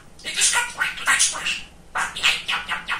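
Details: Talkative, funny male pet budgerigar kept as a talking bird, chattering in rapid high-pitched speech-like bursts, about six syllables in quick phrases with a short pause midway.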